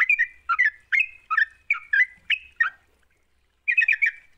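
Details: Sooty-headed bulbul in gacor song, used to lure reluctant bulbuls into singing: separate whistled phrases with dropping, throaty notes, roughly two a second, then a pause and a closing burst of quick chirps.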